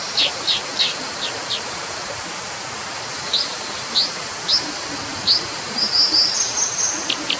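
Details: Brown dipper uttering scattered high, thin chips, several in a quick cluster at the start, then single sharp notes and a short burst of tinkling notes near the end, all against a steady rushing hiss.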